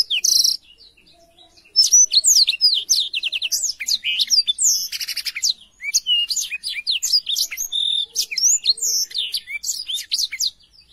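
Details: Black-throated canary singing lively and clear, a tutor recording for young canaries: a loud opening note, a short gap, then nearly nine seconds of dense chattering whistles, quick trills and sharp buzzy notes.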